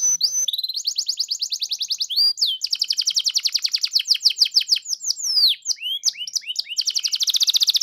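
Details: Canary provocation song: nonstop fast trills of high pulsed notes with quick downward slurs mixed in, several changes of pace, closing on a thin very high trill.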